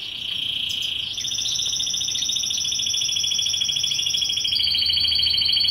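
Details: A female goldfinch begs food from a canary with a fast, unbroken run of high, thin notes, about three per second, slightly dropping in pitch toward the end.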